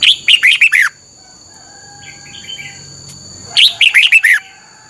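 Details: Caged red-whiskered bulbul song for training birds: two phrases of five to six loud, rolling whistles sliding downward, with soft twittering in between and a steady high electronic tone.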